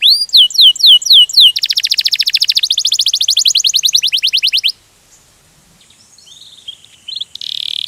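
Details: Canary singing in the Indonesian 'ngerol gacor' rolling style: quick sharp downslurred notes several per second, then a dense rapid buzzy trill for about three seconds, stopping abruptly into near silence with faint high chirps at the end.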